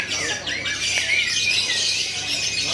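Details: Lovebird performing in a singing competition at Kebokicak, Jombang, giving a dense, high, rapid chattering trill with a few squeaky sliding notes, amid busy background noise.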